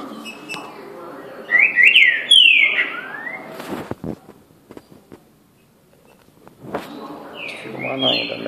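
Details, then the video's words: Green-winged saltator singing two loud whistled phrases of sliding, slurred notes separated by a pause with sharp clicks and knocks. The second phrase rises and ends with a sustained high whistle. "Trinca ferro canto lindo"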